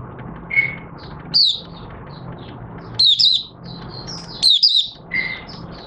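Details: Oriental white-eye kept caged, 25 August 2022, after three months of open-cover night training: scattered high twittered bursts and a few flat whistled notes among soft background chirps and hiss.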